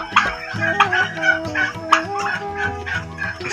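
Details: Five-month-old domestic turkeys giving harsh, rapid gobbling bursts, several close together and uneven in spacing, over steady background music throughout.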